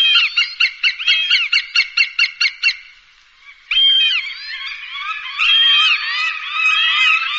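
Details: Hawk call used for bird dispersal: a steady train of sharp, ringing notes about four per second, a brief fading pause, then longer slurred, wavering cries overlapping one another.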